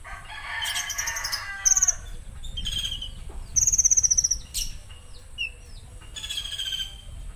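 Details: Konin giving harsh 'tembakan kasar' phrases: bursts of high rattling trills and buzzy notes, short sliding whistles between them, with broadband rustling and a steady low rumble underneath.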